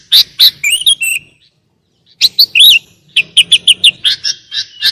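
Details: Sooty-headed bulbul lure song with elaborate fills, used to train and provoke other bulbuls into singing: bright chirping bursts, a short silence, then a quick series of sharp repeated notes.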